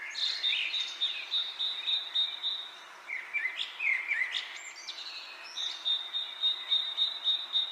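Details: A steady high trill of rapid even notes runs under scattered chirps and sliding whistles from other birds, pausing midway before the trill resumes.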